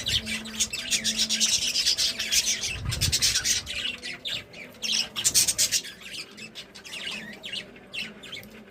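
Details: Budgies, said to be happy, produce loud rapid scratchy chirping and squawking in quick overlapping pulses, a lively flock chorus over a low background hum.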